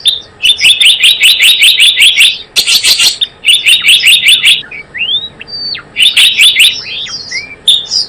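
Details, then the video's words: Java sparrow trapping-lure calls: rhythmic series of sharp, high chirps in several bursts, with a brief harsher noisy burst in the middle and a few sliding downslurred whistles between series. "SUARA PIKAT BURUNG GELATIK BLOONG"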